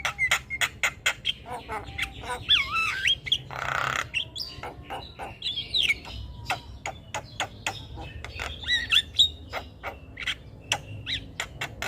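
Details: Javan myna in vigorous song, recorded to train other birds, with a long sequence of sharp clicks and snapping notes, swooping whistles and one brief noisy rasp.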